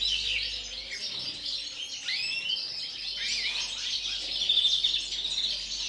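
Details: European greenfinch kept in captivity, singing ahead of the breeding season: rapid twittering with a few rising and falling sweeps and buzzy trills, continuous over several seconds.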